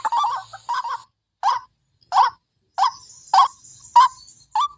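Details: Fierce-sounding white-breasted waterhen lure call: repeated harsh, nasal croaking notes at irregular half-second gaps, with a faint high-pitched hiss running underneath.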